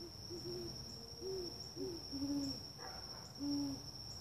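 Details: Great horned owl (Bubo virginianus) giving a series of deep, soft hoots, slightly varied in pitch, about one every second, over a steady high-pitched whine.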